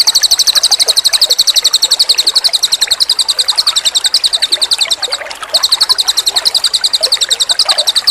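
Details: Cililin bird in full song on a master training recording: a long unbroken run of very high, sharp chirps at a fast, steady rate, briefly stopping near the end before resuming, with murmuring running water beneath.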